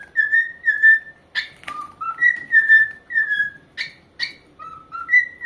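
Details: A pet corella parrot whistles a tune of clear, steady and gently sliding notes, about two per second, broken by a few short, harsh chirps.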